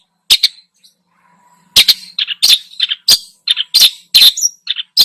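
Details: Long-tailed shrike pouring out a mimicry-filled lure song: a lone sharp note, a pause with faint low hum, then a rapid jumble of scratchy squawks and short whistles.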